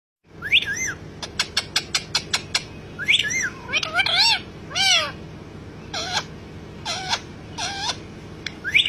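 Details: Pet parrot talking in an excited mood: a burst of rapid sharp clicks, then a string of rising and falling squeaky speech-like syllables over a steady low background hum.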